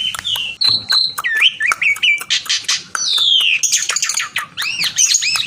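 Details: Javan pied starling singing to call a rival, mixing pure rising and falling whistles, slurred up-and-down notes, rough buzzy bursts and arched chattering phrases in a rapid, varied sequence, with clicking sounds throughout.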